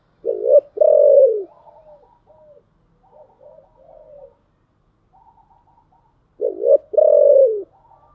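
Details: Spotted dove song in the giọng thổ style: a loud two-part coo, a short note then a long falling one, given twice about six seconds apart, with soft chattering of small birds between.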